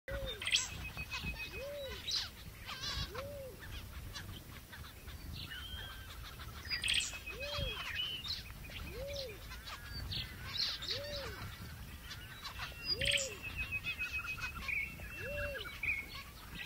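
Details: Australian Zebra finches (Taeniopygia guttata) chatter with nasal, honking beeps and quick chirps over a soft low hoot repeated every second or so.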